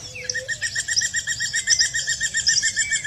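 Spot-breasted Woodpecker giving a fast, even run of clear mid-pitched notes, about seven a second, with faint thin chirps from other birds behind.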